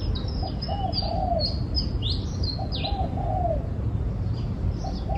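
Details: Repeated cooing of a spotted dove, short mellow notes leading into a longer falling coo, phrase after phrase about two seconds apart, with bright, rapid chirps of other birds above and a low steady rumble.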